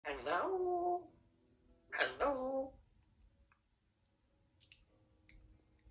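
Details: A pet African grey parrot speaking indoors, asking for a kiss: two clear, voice-like spoken phrases with a falling tone, followed by quiet clicks and faint soft noises.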